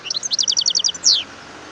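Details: Brief wild European goldfinch song fragment from Algeria: a regular series of about ten quick, high double chirps followed by one louder, downward-slurred note.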